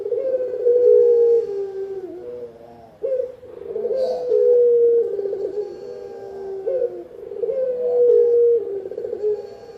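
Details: Spotted dove calling for luring and training use: deep, mellow coo phrases, each a sustained note that dips slightly at the end. There are about three phrases spaced a few seconds apart.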